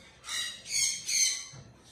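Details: Goliath macaw eating green bell pepper gives three harsh, raspy squawks in quick succession, each about half a second long, loud and grating, with a soft low background hum.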